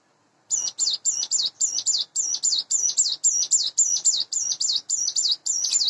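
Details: Morning song of a captive Sunda bush warbler, about eight months old, raised by hand from a nestling and in breeding condition: a steady, unbroken string of some twenty high, sharp, kinked notes, roughly three to four per second.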